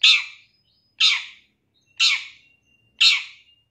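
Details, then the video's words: Long-tailed shrike recorded as a master for training caged birds, shooting style: four grating, noisy chack calls about one second apart, with thin steady whistles faintly audible between. "Masteran Cendet Full Isian Nembak Mewah Terbaik 2023"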